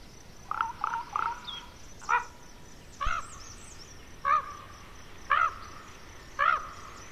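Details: Harsh, nasal croaking from young common ravens in Côtes d'Armor, France, spaced irregularly about once a second, some with a slightly rising, bending tone; a soft thin bird note is heard faintly early on.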